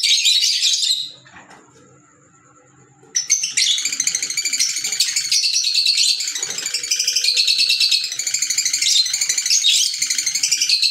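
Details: Green Fischer's lovebirds squeal shrilly, go quiet for about two seconds, then burst into long, fast, rattling chatter of high squeaky notes that keeps going without pause.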